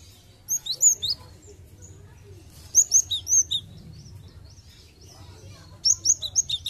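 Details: A Cinereous tit, recorded as a lure to prompt other tits to sing, sings three bursts of high, clear two-note whistles, each phrase repeated four or five times in quick succession, over a faint low rumble.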